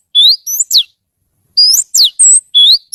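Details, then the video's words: Oriental magpie-robin, called kacer, in lively song. Three rising and falling whistled notes, a pause of nearly a second, then four more bright whistles including a steep downward slur and a high level note. "Suara Kicau Kacer Gacor Merdu"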